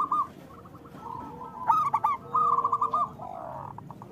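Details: Local zebra dove singing, used to coax idle doves into song. A short trilled phrase opens the clip, then a burst of sharp upslurred notes. A longer rolling, stuttering coo follows over a soft low rumble.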